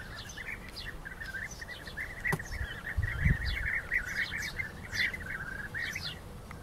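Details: Rival European bee-eaters fighting: a continuous chatter of short rolled calls, many birds overlapping, with sharp high chirps interspersed, one loud click and a brief low rumble midway.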